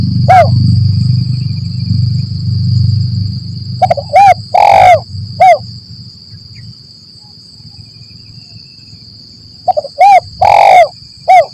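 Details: Lure recording of a spotted dove, 'lambung Kuk 1 Mersik' style, for catching doves in forest: low rumble fades, then two phrases of stuttered notes, clipped coos and one long loud coo, about six seconds apart; thin high whine persists.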